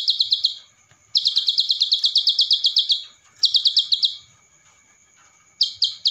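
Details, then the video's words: Ciblek, the Javan sun-bird, gives a training song for other songbirds: rapid high chattering bursts of evenly spaced sharp notes, three phrases separated by silent gaps of a second or more. "MASTERAN Ciblek Sawah Gacor isian Cililin"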